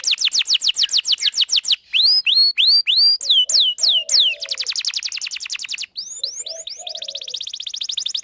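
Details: Singing female canary luring a male, played to train young birds: a quick trill gives way to slower curved rising whistles, then another fast trill, a few upslurs and a final rapid rattle.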